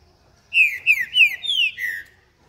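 A Green-winged Saltator sings a quick phrase of five rich, slurred whistles, each dropping in pitch, about three per second, over a quiet background.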